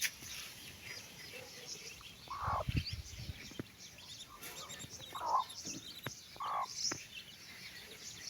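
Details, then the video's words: Mother hen calling her chicks to walk: three short, mid-pitched clucks spaced about a second or more apart, over thin high chick peeping and some low rustling. "mother hen calling her babies chicks for walk"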